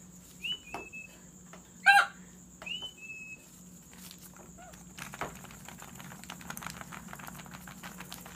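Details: A Rainbow lorikeet at play gives a few brief high whistled notes and one loud harsh squawk, followed by scratchy rustling and a steady background hum.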